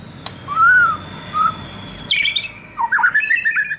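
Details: White-rumped shama song to lure young wild birds into song: soft slurred whistles, then a high squeak and a quick tumbling series of bright, chattering notes.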